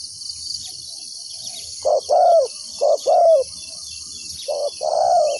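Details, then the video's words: A decoy spotted dove, calling to attract wild doves for trapping, gives three paired coos, each a brief low note then a drawn-out hoarse coo, with insects shrilling constantly in the background. "chim cu mồi gáy gọi bổi"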